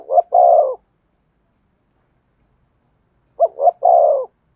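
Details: Two cooing phrases from a spotted dove in thổ sấm voice, about three seconds apart. A short note is followed by a longer one and then a drawn-out rolling coo. No other sounds.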